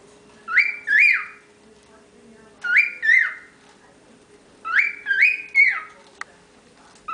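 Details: Young cockatiel kept with nine others, whistling: three bursts of clear swooping whistles, each made of two or three rising-falling notes, repeated about every two seconds over a low background hum and a brief click.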